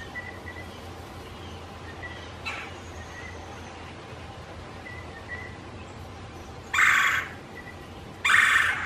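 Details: A male Red-bellied Woodpecker at his nest box in a backyard, listening for and calling to an interested female during territorial courtship, trades soft, short calls back and forth with her, then gives two loud, harsh rolling calls near the end.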